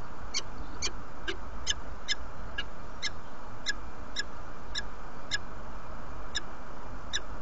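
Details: Female peregrine falcon arriving at the nest in Derby, UK, on a February morning, inviting. She gives a steady series of short, harsh, ringing notes about twice a second, over a constant low background rumble.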